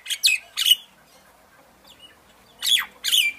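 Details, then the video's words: Myna giving harsh, descending squawking notes in two pairs, separated by a quiet gap of about two seconds. "myna bird song / myna bird sound /mynah bird singing"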